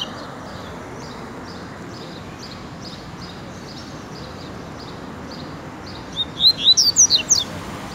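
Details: Double-collared seedeater (coleiro) with a tiziu-style song: faint, evenly repeated high notes for several seconds, then a louder burst of about six sharp, sweeping whistles near the end.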